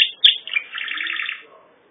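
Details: Pet canary with a brief burst of song: a sharp high note, then a fast rolling trill that fades out after about a second and a half.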